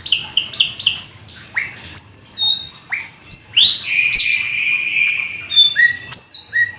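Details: Gacor full isian song of a black-winged starling: quick high chirps and whistles open the phrase, then a long steady whistled note, closing with sharp rising and falling notes.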